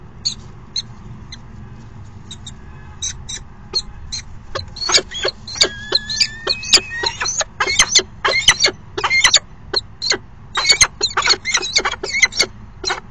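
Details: Falcon pair during a brief courtship dance at a nest box in the afternoon after the male waited all morning; rapid harsh chattering calls in dense bursts with short whining notes, building to near-continuous clicking chatter.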